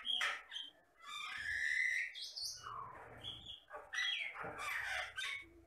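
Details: Jalak Batam myna in full, lively song, mixing harsh squawks, bright whistled notes and chattering phrases in uneven bursts, with a faint low rumble in the background.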